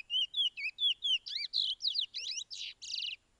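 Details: Pijé-Pijé training song of the Chestnut-bellied seed-finch, a Suriname song style for teaching birds: clear slurred whistles repeated about twice a second, turning into fuller buzzy, rasping notes toward the end.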